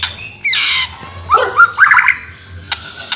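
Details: White-rumped shama singing, meant as tutor song to prompt other shamas that are slow to sing: sparse bursts of bright whistles and a harsh rasping note, separated by pauses, with sharp clicks and a low background hum.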